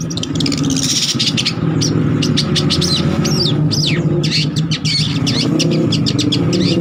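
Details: Cendet trotol long-tailed shrike song for use as a lure or training master: quick chattering notes and swooping upslurred whistles over loud, constant low rumbling noise.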